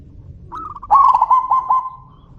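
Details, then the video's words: Zebra dove calling in exchange with another: a soft rising coo, then a louder rolling trill of rapid cooing notes that fades into a sustained even tone. "suara panggilan burung perkutut - saut sautan - suara besar"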